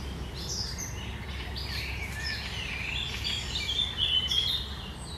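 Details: Sharp, chattering song of a great reed warbler, 1 July 2020: scratchy, rasping phrases that grow louder and busier toward the end, over a low hum of background noise.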